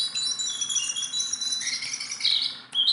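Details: A hand-tame Sunda bulbul that sings persistently, pouring out a dense run of high twittering notes with brief whistles, then a short pause and a final burst of chirps.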